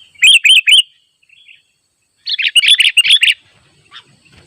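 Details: Wild sooty-headed bulbul summoning rivals at a simple trap while birds crowd around: three clear, looping whistled notes, a pause, then a denser, tumbling burst of overlapping bubbly calls.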